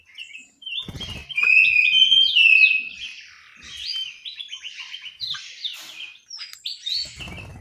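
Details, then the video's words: Orange-headed thrush singing in an aviary in Malang, East Java: a rich, rapid run of varied whistled and warbled notes, loudest in the middle, with a few soft clicks at start and end. "suara burung anis merah"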